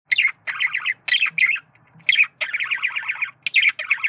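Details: Male budgerigar flirting, giving a chattering warble of short buzzy, scratchy bursts broken by brief pauses, with sharper high squeaks mixed in.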